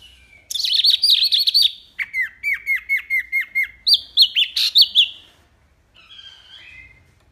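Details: Wambi mini tembakan song: dense burst of high chattering notes, then an evenly spaced train of downslurred chips, a few louder ringing notes, and a faint trailing phrase.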